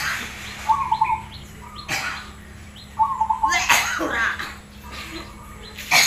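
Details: Zebra dove, black cemani Krosing variety, singing so others answer: two short trilled coo phrases separated by loud clicks, sharp bangs and faint chirping from other birds.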